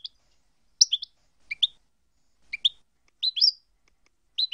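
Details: European goldfinch song segment from a compiled tape of approved song passages: short, sharp two-note chirps and twitters in high pitch, spaced irregularly with brief silences, ending in a denser pair of slurred notes.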